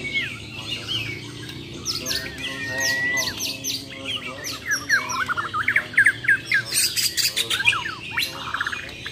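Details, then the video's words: Champion Bornean white-rumped shamas from Muara Wahau facing off in a contest, with whistled slurs, clear sustained notes and a later burst of loud rhythmic chattering and chips amid other birds. "AKSI BURUNG - BURUNG JUARA MURAI BATU BORNEO "MUARA WAHAU" || FULL ISAIN BESETAN DAN TEMBAKAN"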